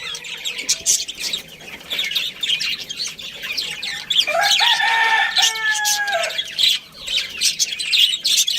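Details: Budgerigars of a colony with a breeding pair chatter in high, fast chirps, while a longer, lower, harmonic call rises and holds partway through.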